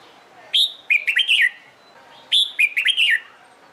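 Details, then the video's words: Two matching phrases from a red-whiskered bulbul in competition-song training, each a sharp high whistle followed by three quick rolling slurred notes, spaced under two seconds apart. "LUYỆN CHÀO MÀO HÓT ĐẤU/ CHÀO MÀO MÚA HÓT CHÉ VUI NHỘN"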